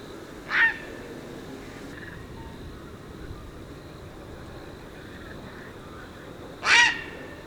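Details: Two harsh, clipped squawks from a tricolored heron in Argentina, about six seconds apart, over a constant low hum and hiss.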